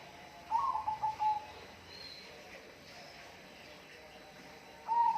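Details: A bird gives a clear whistled phrase of several quick, wavering notes that end in a level tone. After a quiet gap of about three and a half seconds, it starts another phrase, all over a constant hiss.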